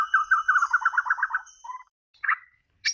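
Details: White-rumped shama singing: a quick run of about ten short, even chirped notes in a steady rhythm, then a brief warble and two sharp separate notes, over a faint steady high electronic whine.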